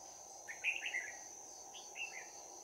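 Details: Trapping-decoy Red-whiskered bulbul with a bell-like voice in combative fighting song, 11 January 2019. A tumbling run of clear whistled notes, then a shorter two-note phrase after a pause, with a persistent shrill insect background.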